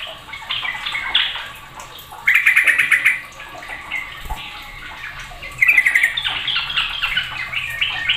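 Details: Sooty-headed bulbuls chattering loudly, one bird setting off others. Two strong stuttered bursts about three seconds apart rise above continuous overlapping chirps from other birds.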